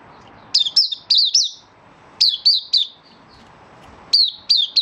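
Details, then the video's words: Malaysian white-eye in minor moult, starting to sing and building form, recorded 24 August 2023: bursts of high, sharp slurred chirps in quick clusters of three or four, separated by pauses of about a second, over low background hum. "Malaysian Mata Puteh Buka Sing"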